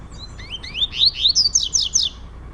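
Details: Competing caged male double-collared seedeaters in a Brazilian house; a dense run of rising whistled slurs, climbing and repeating about six times a second, loud and bright.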